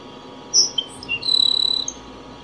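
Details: Grassland sparrow singing: a few high, thin whistled notes, then a fast, buzzy, even trill lasting about half a second. Faint steady background hum.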